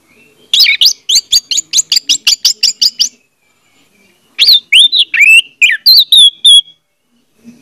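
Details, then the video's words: Orange-headed thrush used as a lure to prompt a silent bird: a fast regular series of sharp chipping notes lasting about two and a half seconds, a pause, then varied whistled phrases. "audio suara anis merah || pancingan ampuh untuk ania merah membisu"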